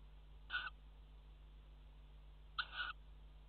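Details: Tawny owl at a water-tower nest box on 5 February 2018, mating on the box edge: a pair of short, grating calls separated by two seconds of quiet hum.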